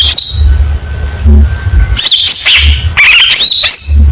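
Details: Long-tailed shrike with contest-style song. A whistled phrase is followed by a pause, then two loud bursts of rising slurred whistles and harsh chatter. A low hum continues throughout.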